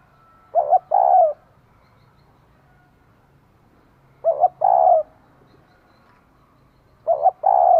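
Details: Female spotted dove stimulating a male: three repeated phrases, each made of two short hoots and a longer falling coo, spaced about three to four seconds apart.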